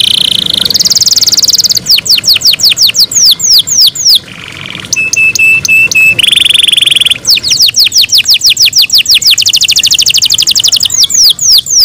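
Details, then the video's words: Canary in its keepers' care singing at morning, alternating dense buzzing rolls with fast runs of sharply descending whistled notes, repeated in long, even tours at high pitch. "MORNING SONGS OF CANARIES IN THE MORNING"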